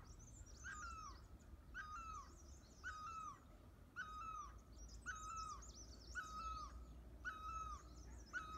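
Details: European green woodpecker calling: loud ringing notes with a falling tail, repeated evenly about once a second, over constant low wind or traffic rumble and faint high chirps of other birds.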